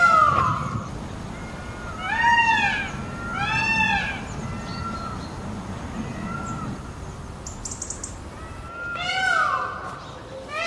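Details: Scattered peafowl calls: a pair of arched, nasal wailing cries early, a long flat tone between, and a final strong rising-falling cry near the end, over low background hum.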